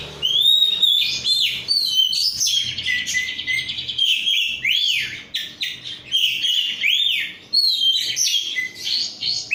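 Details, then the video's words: Oriental magpie-robin of Korean strain, kept as a songbird, singing loud clear arching whistles mixed with buzzy rattles and rapid chips, phrases tumbling one after another without rest. "rudal korea kacer gacor"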